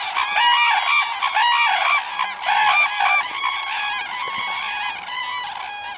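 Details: Wintering red-crowned cranes, many together at a snowy feeding site near Tsurui village, Kushiro wetlands, Hokkaido, where pairs stay with their young: dense chorus of loud, rolling trumpeting calls overlapping without pause.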